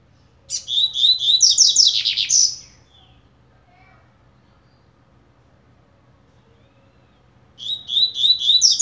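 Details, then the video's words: Warming up, a coleiro blade (Double-collared seedeater) delivers a loud two-second run of rapid, high, buzzy chirps that ends in a sweeping rasp, then falls quiet before a second phrase begins. "COLEIRO BLADE COMEÇANDO ESQUENTAR"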